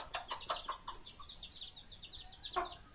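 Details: Kemade Bunga Api singing: a rapid run of high, slurred chirps that slide downward and fade into softer twittering, then one brief lower note near the end.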